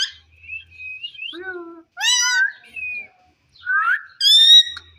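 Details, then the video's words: Rose-ringed parakeet talking: short harmonic, speech-like syllables mixed with clear whistled notes, some rising and falling, delivered in bursts separated by brief pauses. "Amazing parrot talking funny clips"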